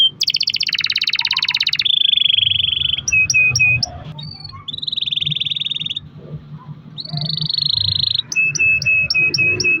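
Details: Canary song in long rolls, used as a lure to get other canaries singing: a buzzy high trill, then sustained rattling rolls and a series of short downslurred notes, with brief quieter gaps between phrases.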